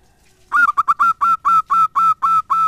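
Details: Lure song of a zebra dove meant to make other doves, rivals and companions alike, call back: after a brief faint start, a fast burst of clipped coos gives way to a steady run of longer, even, hoarse notes.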